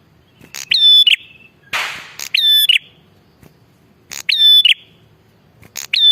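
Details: Bar-winged prinia calling energetically, used to attract wild prinias. Loud repeated phrases, each a sharp click and a piercing whistle, come every second or two, broken once by a short rushing noise burst.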